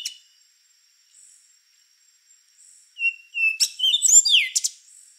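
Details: Rufous-brown solitaire song phrase: after soft faint notes, two level whistles lead into a loud, rapid jumble of high tinkling, slurred notes ending in a downward swoop, lasting about two seconds.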